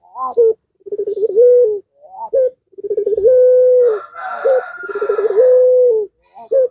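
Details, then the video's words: Caged puter pelung (Barbary dove) calling to provoke rival doves into answering. Repeated rolling, pulsed coos, each ending in a steady drawn-out note, with a brief harsh, noisy burst in the middle. "Suara Gacoran Puter Pelung Ini Membuat Lawan Emosi Dan Terpancing Ikut Gacor"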